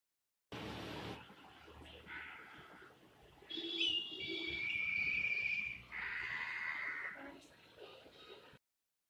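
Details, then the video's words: An eagle (ghaar/cheel) gives drawn-out, high whistled screams in several long strained notes, with a rough burst of noise at the start. "Ghaar / cheel / eagle sound"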